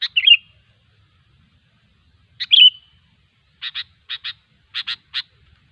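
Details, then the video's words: Wild sooty-headed bulbul giving two short bubbly, warbled phrases about two seconds apart, followed by pairs of sharp, clipped notes repeated in quick succession; quiet background otherwise. "suara burung kutilang ASLI ALAM LIAR"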